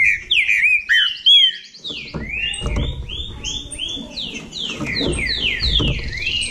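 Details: Rival Bahia saltator song: a few sharp whistled phrases, then a dense, overlapping flow of slurred notes above a low rumbling background.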